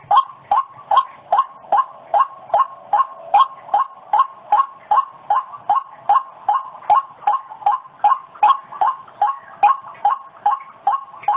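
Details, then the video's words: A white-breasted waterhen lure call: a steady series of hollow, mid-pitched notes, about two and a half per second, repeated monotonously with no other sounds. "Suara pikat burung ruak ruak"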